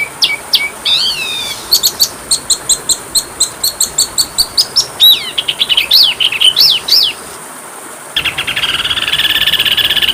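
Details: Oriental magpie-robin (kacer) training song used as masteran, packed with small-bird fill-in phrases: bright whistled notes and slurred upsweeps, then a long run of evenly spaced sharp chips, downward-swooping whistles and a closing buzzy trill.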